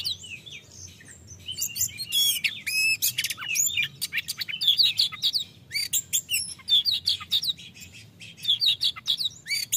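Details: Oriental magpie-robin (kacer) sings a loud, open "ngeplong" song of varied clear high whistles, sweeping notes and quick trills, nearly without pause; played to provoke reluctant, lazy-singing magpie-robins into singing.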